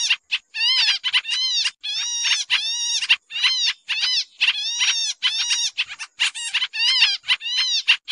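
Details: Busy, noisy lure call of a pied triller used in trapping: dense rasping chatter with sweeping harmonic notes, short bursts following each other in quick succession. Background is otherwise silent.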